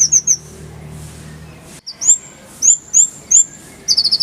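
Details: Oriental white-eye tutoring song: scattered thin, high rising chirps with short gaps, then a closing quick trill of about six notes; low background hum in the first part.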